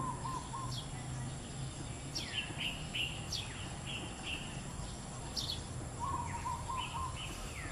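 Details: Violet cuckoo (Chrysococcyx xanthorhynchus), call.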